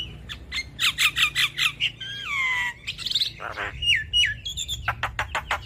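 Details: Asian pied starling (jalak kebo) singing energetically on a cage-bird training recording: quick series of sharp chattering notes, long descending whistles, a rasping squawk and clipped clicks in a steady jumble.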